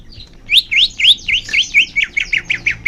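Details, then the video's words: Greater green leafbird song, played to spur caged birds into singing: a lively series of about twelve sharp slurred notes, each swooping up then down, coming faster toward the end. "Suara Cucak Hijau Biar cepat gancor"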